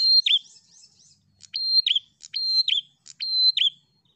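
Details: Prinia song, said to be a fighter bird singing tirelessly to provoke rival prinias. Four sharp phrases, each a click, a high steady whistle and a quick downward slur, roughly every 0.8 seconds, with faint twittering between.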